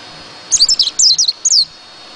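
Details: Brief high twittering from a white-eye: a few quick, sharply descending whistled notes packed closely together, then a final longer downslurred note.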